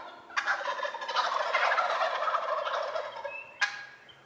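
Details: Wild turkey in early spring in Rhode Island, a sustained loud rattling gobble of quick gurgling pulses over about three seconds, ending with a sharp click and a short whistled note.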